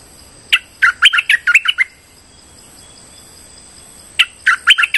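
A streak-eared bulbul gives two bursts of quick, bright, chirping notes, six or seven in a row, with a short quiet gap between them.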